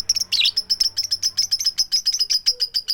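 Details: A female lovebird calls for the male with a steady train of shrill 'tik' notes, about five per second for three seconds, with one harsher squeak near the start and no chattering.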